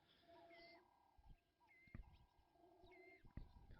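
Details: A Ring-necked (Cape Turtle) Dove, heard in the African bush on a live wildlife cam, gives its low, hoarse 'work harder' cooing phrase about every second and a half, beneath thin whistles from another bird, a few knocks and low rumbling.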